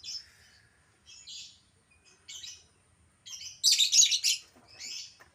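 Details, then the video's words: Pet albino lovebird calling in short high squeaky chirps spaced about a second apart, then a loud rasping chatter burst and a final chirp. "burung lovebird albino yang jadi primadona"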